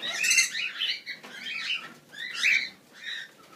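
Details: Grey cockatiel (Nymphicus hollandicus), kept for wholesale sale: loud, raspy squawking calls in three bursts, each sliding and slurred, with brief pauses between them.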